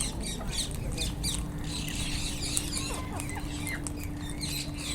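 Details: Wild Indian ringneck parakeets chatter with grating squawks and short descending screeches, while a steady low hum runs underneath.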